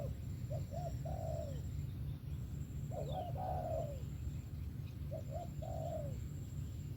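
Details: Cooing of a spotted dove, three phrases spaced about two seconds apart, each a brief doubled note then a longer coo trailing downward, with a faint higher chirp and low hum behind.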